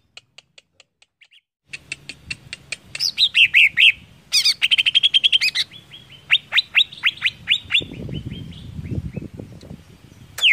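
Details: A greater green leafbird sings to provoke rivals, starting with faint ticking notes, then bursting into descending slurred whistles, dense chatter and rapid falling chirps; a low rumbling noise joins toward the end.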